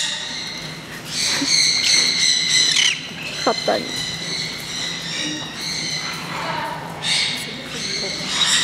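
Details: Green-cheeked conures at Kakegawa Kachoen bird park, Japan, released for the first time into a free-flight zone, give harsh, high squawks and chattering notes in irregular bursts, with people talking and crowd noise behind.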